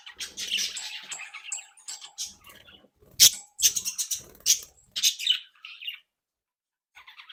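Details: Captive flock of budgerigars, described as happy, active and playful, chattering together: dense bursts of high scratchy warbling and chirps, with short sharp squawks and brief pauses between phrases.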